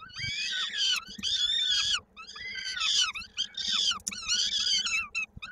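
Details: Peregrine falcon chick at a Koszalin nest, Poland, 16 May 2022, its foot stuck in a beak during feeding: loud, drawn-out grating screams about a second each, repeated in quick succession over a faint hum.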